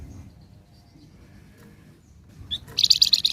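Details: Flamboyan in lively song for luring flock birds: after a quiet stretch with faint chirps, one sharp high note leads into a quick series of loud, high, clipped notes repeated rapidly to the end.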